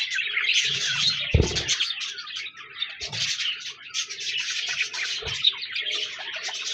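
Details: Constant budgie chatter: many overlapping high, scratchy chirps and warbles with no break, plus a few short low thuds.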